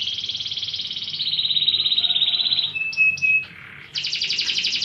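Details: Fighting canary training song: a long rapid buzzy trill sliding slightly lower, a pure whistled tone, then a renewed fast pulsing trill.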